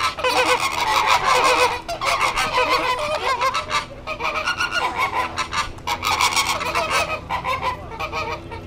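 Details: A flamingo flock calling after an overflying airplane: bursts of loud, overlapping goose-like honking broken by short lulls near two, four and six seconds, with a steady low drone beneath the chatter.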